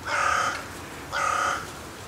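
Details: A carrion crow from a flock visiting a winter feeding spot on 3 January 2023, on a cold day with a light southwest wind, gives two harsh, hoarse caws, each about half a second long and a second apart, over faint hiss.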